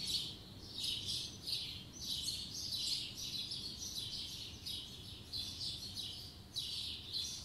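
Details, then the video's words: A spring 2020 morning chorus of several birds: high, thin chirps and twittering phrases overlap almost continuously, with a faint low background hum. "Birds singing in the morning"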